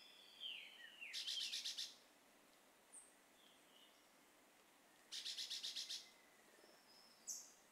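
A Chestnut-bellied Euphonia gives two bursts of about seven harsh, metallic buzzy notes, one preceded by a falling whistle, with a few thin high chips between.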